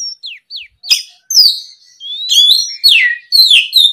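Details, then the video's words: Oriental magpie-robin in full afternoon song used as a lure to draw other birds: loud whistled notes sweeping downward, then rapid varied chirps and slurred phrases, high and clear with no other sounds. "SUARA PIKAT BURUNG KACER GACOR NGEPLONG SORE, MEMANCING KACER BAHAN AGAR LEKAS BUNYI NYAUT & GACOR!"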